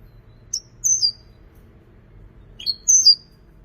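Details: European goldfinch praised as a creative singer gives two brief pairs of sharp, high, downslurred chirps about two seconds apart, with only faint low hum between them.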